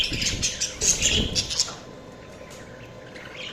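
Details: Budgies chirping in a lively burst of high, clicky tweets and warbles for the first half, then quieter scattered chatter, with low thumps beneath the opening notes.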